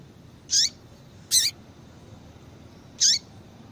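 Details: Female double-collared seedeater calls, played to warm up males into song: three sharp chips, two with a short falling tail, spread over about three seconds against quiet hiss.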